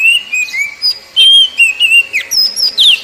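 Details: Kacer, the Oriental magpie-robin, singing poci-style phrases meant to stimulate captive wild-caught birds; a string of clear whistles, some level, some sliding down, punctuated by quick high twisted notes.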